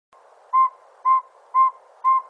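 A northern saw-whet owl gives four clear, mid-pitched whistled toots, evenly spaced about two per second, over a quiet background.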